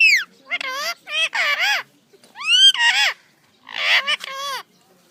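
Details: Talking parrot with a natural voice, delivering rapid speech-like phrases in four loud bursts, nasal and harmonic with wavering pitch, some syllables rough and breathy, separated by brief silences.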